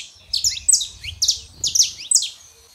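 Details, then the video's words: Saffron finch pair, male and female, used to warm up a silent canary: five bursts of bright, high, descending double chirps in under three seconds over a soft low hum. "canário da terra fêmea e macho pra esquentar seu canário frio"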